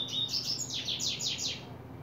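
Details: July 2024 recording of a coleiro opening its song. Short high whistles give way to a quick series of about six loud, buzzy notes, each sweeping downward, over roughly two seconds. Quiet low hum behind.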